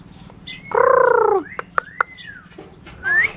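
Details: Mimicking starling from Curup giving a loud, steady, harmonic drawn-out note, followed by a thin gliding whistle, a few sharp clicks and a closing rising whistled phrase.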